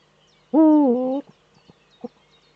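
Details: Courting male Eurasian eagle-owl in a nesting niche, recorded by nest camera in northern Rhineland-Palatinate, Germany, on 4 May 2013; a strong, rich, drawn-out call with a gentle dip in pitch, then a few faint clucks.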